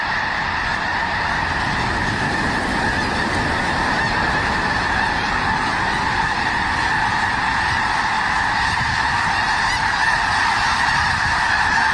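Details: Snow geese flocking by the thousands in Skagit Valley in winter: a continuous wall of nasal honking, many birds calling at once, steady in loudness throughout, with faint low rumble beneath.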